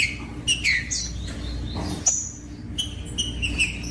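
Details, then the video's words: Green-winged saltator singing to stimulate other saltators: clear whistled notes, some sliding downward, in brief groups with a gap in the middle, over a faint low hum. "COM TRINCA FERRO CANTANDO O MELHOR VÌDEO PARA ESQUENTAR TRINCA FERRO"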